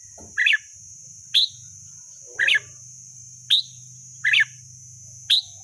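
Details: Wild red-whiskered bulbul giving short, bright warbled phrases, six in under six seconds at roughly one-second intervals, each a quick rising-falling chirp; a steady high-pitched drone and a faint low hum run throughout.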